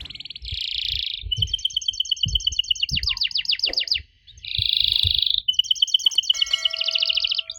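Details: Lure song of a canary meant to get young birds to respond: a dense buzzy trill, then a long rapid chain of bright repeated notes, another buzzy roll and a fast rattle, with faint low background rumble.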